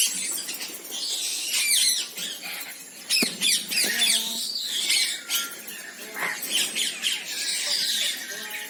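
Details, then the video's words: Red-breasted parakeets (Psittacula alexandri) give harsh, high screeches and rapid chattering squawks, several birds overlapping in a busy, irregular stream with a few clearer whistled notes. "Suara Kicau Burung Betet/Bayan Biasa"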